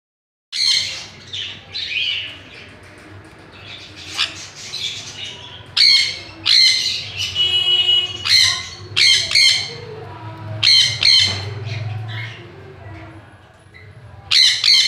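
A sun conure gives loud, harsh, high-pitched shrieks in repeated bursts.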